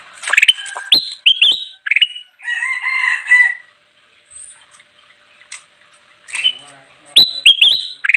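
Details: Golden bulbul (kutilang emas) singing continuously, used to lure wild birds: loud bursts of quick whistled notes sweeping between mid and high pitch, separated by short pauses, with a softer warbling passage in the middle.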